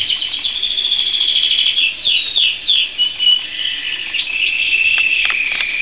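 A canary sings a long, high, rolling trill broken by a few quick descending whistled slurs, with no other clear sounds.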